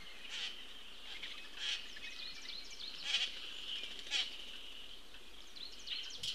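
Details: Juvenile Common Grackle begging as an attentive parent feeds it, 22 June 2018 at 14:29; harsh, broadband squawks repeat roughly once a second over a steady high-pitched hum, with fainter chirps between.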